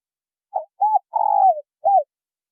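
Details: A single coo phrase from spotted doves, male and female, used to stir newly caught birds: a short note, an arched coo, a long rolling coo falling in pitch, then a last arched coo, with no other sound.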